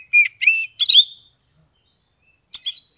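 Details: Ngeplong song of a captive Oriental magpie-robin (kacer), Kebumen, Central Java, Indonesia. A steady whistled note leads into buzzy, rising chirps, then a pause and one more bright whistled phrase.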